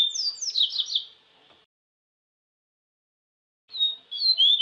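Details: Seedeater known locally as papa-capim, recorded in nature, giving a quick, high-pitched warbling phrase of sliding whistles and fast trills, a long quiet gap, then another phrase starting.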